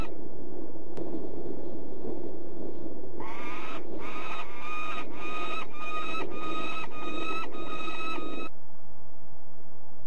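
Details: Peregrine falcon at De Mortel, Netherlands: a rapid run of about seven loud, grating, evenly spaced notes lasting some five seconds, set against steady low-pitched background rumble.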